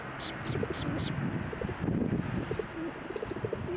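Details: Sparrows flying to a red-blossomed plum tree at a Tenmangu shrine on 27 January 2024: four short, sharp, high chirps in the first second over steady low cooing notes and outdoor murmur.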